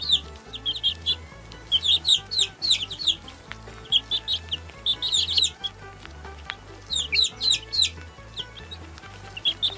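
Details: Chicks peeping in bursts of rapid high descending notes separated by short pauses, over a repeating low musical beat.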